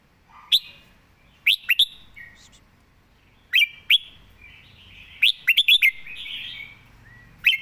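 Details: Red-whiskered bulbul, a caged bird, gives scattered sharp chirps and pairs of whistled notes. Midway comes one quick phrase of four bouncy notes, followed by more single chirps, over a quiet background.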